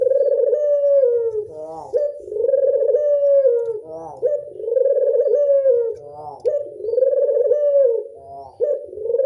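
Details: Barbary dove of a local strain, known as puter, cooing in the classic style: steady, low, soft rounded coos in a near-continuous chain, each phrase closing with a brief catch before the next begins, indoors.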